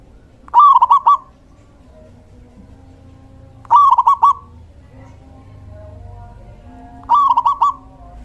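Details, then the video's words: Rolling song of a local male zebra dove used to lure and stimulate other doves, each phrase a slurred coo followed by a stuttering trill, given three times about every three seconds. "Suara perkutut lokal jantan GACOR"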